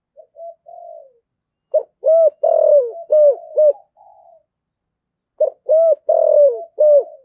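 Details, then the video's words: Spotted dove giving its 'giọng thổ sấm' style call to lure and provoke wild doves: soft lead-in coos, then two loud phrases of four or five hollow, ringing coos, with fainter coos in between. "cu gáy giọng thổ gáy gọi hay và kích bổi nó rất hiệu quả, cu gáy giọng thổ sấm"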